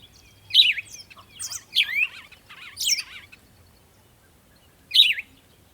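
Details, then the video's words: Sunrise birdsong in the morning: sharp high chirps with descending wavering tails, repeated roughly every half second for several notes, then a gap and one more chirp near the end; a quiet low hum underneath. "Morning Sunrise and Birds sound"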